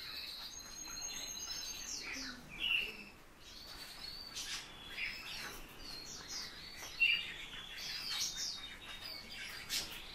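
Eurasian bullfinch giving soft, short piping whistles a few seconds apart, among a busy backdrop of thin, high chirps from other small birds.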